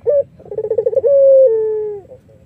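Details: Single full song phrase of an Iraq-variety collared dove, melodious and used to attract other doves: a short note, a brisk series of throaty pulses, then a smooth held coo easing downward before a soft closing note.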